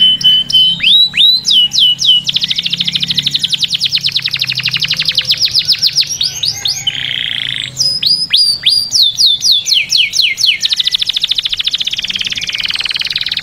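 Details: Canary song in shifting tours: swooping whistles, long fast buzzy trills, a short harsh burst, then fresh sweeping notes and another extended rolling trill.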